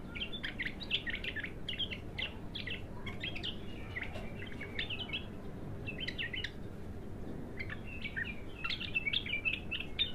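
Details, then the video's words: An untrained bulbul, known locally as al-abtar, in its first bout of singing: short bursts of clear warbled and whistled notes in quick broken phrases, pausing briefly between groups, over a steady low background rumble. "تغريد الابتر خام اول فتحـه له"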